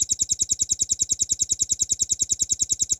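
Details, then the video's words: Velvet-fronted nuthatch in a tutor recording for training cage songbirds, singing a long fast 'ngebren' burst: a steady, very high, dry trill of sharp notes repeated about ten per second for the whole stretch. "RAMBATAN PARUH MERAH GACOR FULL NGEBREN NEMBAK PANJANG"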